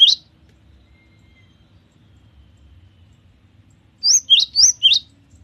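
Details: Cinereous tit in chatty song: a single sharp note, a few seconds of near silence, then four quick, bright, rising whistled notes in an alternating two-note pattern.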